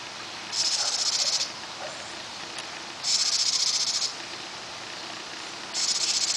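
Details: A house wren pair tending their brood at the nest on June 21: three shrill, fast-pulsed hissing buzzes, each about a second long, spaced roughly two and a half seconds apart.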